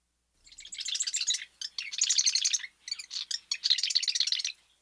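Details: Marsh wren (Cistothorus palustris), song.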